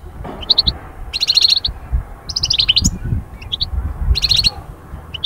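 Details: European goldfinch song meant to rouse birds from moult into breeding-season vigour: bursts of fast, tinkling repeated notes about every second, separated by brief pauses, over low background rumble.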